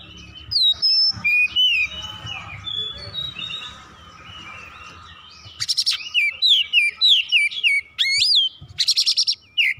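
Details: Agitated oriental magpie-robin: soft varied whistles and warbles at first, then a loud stretch of harsh buzzy bursts interleaved with quick descending whistled notes, its full repertoire on show.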